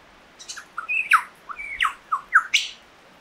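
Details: Lyrebird singing a lively, varied run of loud notes: short whistles, sharp descending strokes and squawky bursts, about eight phrases in quick, irregular succession, with no other sounds clearly heard.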